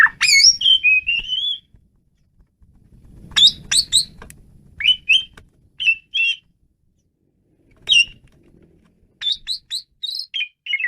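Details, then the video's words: Energetic song of an Asian pied starling: varied phrases of loud whistles, some rising and gurgling, others sharp and ringing, delivered in bursts separated by short silences, with low muffled rustling between phrases. "jalak suren menggila"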